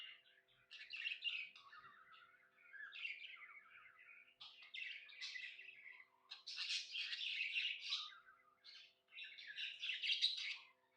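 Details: A happy budgerigar produces a long rambling warble of quick chirps, clicks and squeaky whistles, growing louder and denser toward the end, over a low steady hum.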